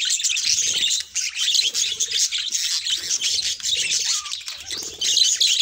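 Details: Budgerigars of mixed colour mutations produce busy twittering and harsher squawky notes, with brief dips in the chorus, now and then a clear short whistle, and a rise again at the end.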